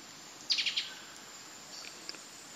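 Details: A White-throated Shrike-Tanager gives four quick, sharp, high notes in under half a second, followed by a few faint distant chips over a steady insect hiss.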